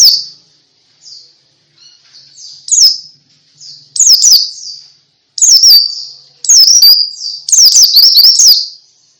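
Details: Pleci (white-eye) singing in ngalas style, meant to prompt other pleci to sing: bursts of high, rapid, twittering chirps with quick sweeping notes, separated by short pauses and growing longer and denser toward the end.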